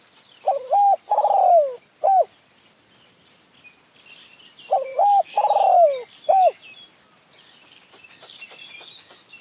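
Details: Spotted Doves during a decoy-trapping session in mountain forest, with a decoy and a wild bird contesting each other; two low, hollow cooing phrases, each of several notes ending in a drawn-out falling coo, with faint higher chirps of other birds behind.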